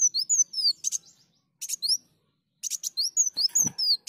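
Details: Sunbird song played to lure birds: high, slurred whistles and short buzzy bursts, broken by brief silences, with a dull thump near the end.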